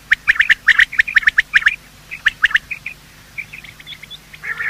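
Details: Morning calling of male and female quail, used in hunting: fast series of sharp, high paired notes for the first half, then quieter scattered calls and a rising burst at the end.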